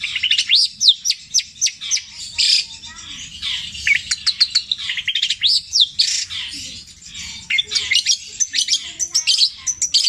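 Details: Mimicking long-tailed shrike delivering a petir-style medley of tengkek buto, kuntilanak and sparrow imitations, long and repeated: jumbled high chirps, downslurred whistles and bursts of quick ticking notes without pause.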